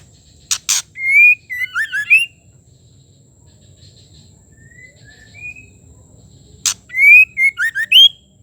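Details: A female white-rumped shama's call, used to make males sing: two bright whistled phrases, each a rising slur followed by rapid falling and rising notes, separated by a long gap with faint whistles and sharp clicks.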